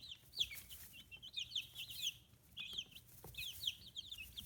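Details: Chicks fifteen days after hatching, feathers emerging, from a free-range flock in Kitahiroshima, Japan: clustered high chirps sliding downward, coming in quick bunches separated by short pauses, with light scratching noises.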